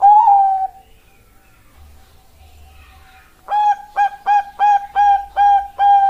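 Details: Bangkok-type zebra dove, a female calling a male, used as a lure: one long cooing note with a slight wobble, a quiet pause, then a quick run of clear, hollow, staccato coos, about three each second.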